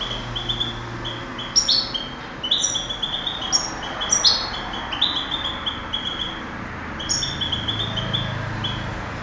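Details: European goldfinch in a 2008 singing contest delivers a long, continuous stream of high, chattering twitters and liquid trills, with barely any pause across the phrase.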